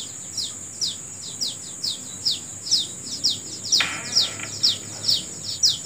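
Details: Morning birdsong in a natural setting: a bird gives loud, crisp, high descending chirps in a steady rhythm, about two per second, above a continuous shrill insect hum, with a brief rustle midway.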